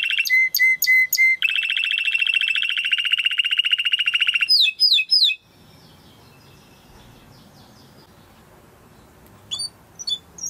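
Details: Timbrado canary song for training: a few whistled notes, a long, droning, buzzy roll lasting several seconds, brief sharp chirps, then near silence broken by a couple of faint notes.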